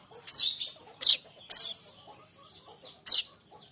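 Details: Streaked weaver (manyar kembang), young bird, singing as tutor material for songbirds: a few loud, high squeaky notes spaced about half a second apart, with faint thin twitters between.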